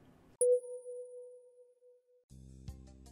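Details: A sustained pure electronic beep followed by a buzzy synthetic tone, with no animal calls present.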